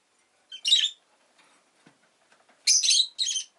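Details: Rosy-faced lovebird giving three harsh, buzzy chirps in two bursts, one early and a doubled pair near the end, with faint rustles and clicks between them.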